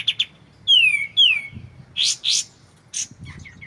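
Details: White-shouldered triller, used as a training track for white-rumped shamas to memorise, with clear voice and pauses: sharp double chips, two loud whistles sliding downward, then buzzy rasping notes and short high chips.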